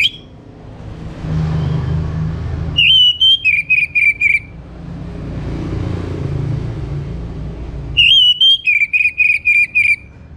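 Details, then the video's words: Orange-headed thrush from North Bali, morning song meant to prompt other birds to sing: two loud bursts of rapid whistled notes, each a rising whistle followed by quick repeated descending slurs, separated by rumbling background noise. "Kembali Bunyi Dengar Pancingan PAGI HARI 99% Efektif bikin ANIS MERAH GACOR"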